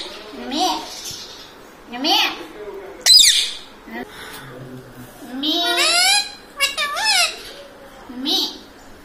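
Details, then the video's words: Talking pet parrot that says words like mummy and papa, producing bursts of squawky, speech-like syllables with bending harmonic tones at uneven intervals, separated by short quiet gaps, with faint high bird chirps behind. "parrot talking mummy || papa bolta mithu || mummy mithu ko roti do ||talking parrot"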